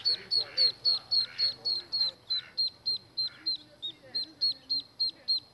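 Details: Mallard ducklings peeping: evenly spaced, high, sharp piping notes, each dropping slightly in pitch, repeated rapidly and regularly almost without pause, with a brief gap near the middle and a quiet low background.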